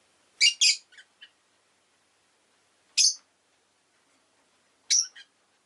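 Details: Rosy-faced lovebird calling in a home, with sharp broadband chirps, a double burst followed by two faint notes, then single loud chirps about every two seconds.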